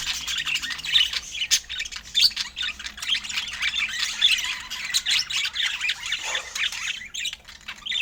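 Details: Feeding budgerigars chatter in raspy squawks and quick chirps. The calls come in uneven pulses over a sharp click or two, and a lower rasping note sounds near the end.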